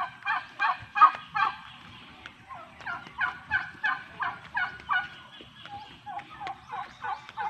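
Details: Domestic male turkeys kept apart from the females, gobbling: rapid rattling gobbles repeated about three times a second in overlapping bursts, several birds calling at once, with soft low background noise.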